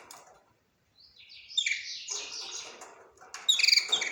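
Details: Budgerigar warbling: a soft rising chatter grows into a scratchy, pulsing run of high notes, ending in a loud, bright, trilled chirp, with no other sounds.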